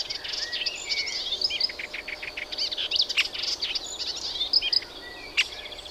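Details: Melodious warbler (Hippolais polyglotta), song.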